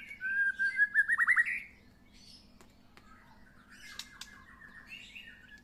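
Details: Recently moulted White-rumped shama basking in the sun: a loud phrase of rapid, repeated downward-swept whistled notes, then quieter varied chattering and warbled notes with a few sharp clicks.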